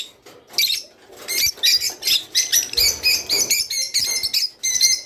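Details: Rice finch song to encourage mating: after a soft start, a steady series of short high chirping phrases, roughly one every half second, bright and slightly buzzy.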